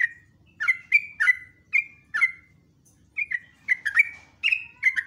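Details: Caged sooty-headed bulbul (trucukan) in lively ropelan song: bursts of rich, slurred whistled notes, each dropping in pitch, delivered in quick clusters with short pauses between.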